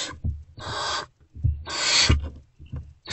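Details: Owlets of the great horned owl in a nest box, unfed at dawn on 3 March 2024 as an adult comes back: long harsh hissing screeches nearly half a second or more, overlapping heavy bumps and scraping of the owls moving.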